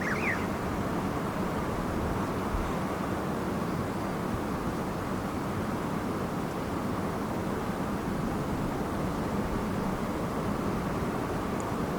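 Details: A steady, broad engine-like roar, like a passing aircraft or distant traffic, fills the whole recording with no clear animal voice.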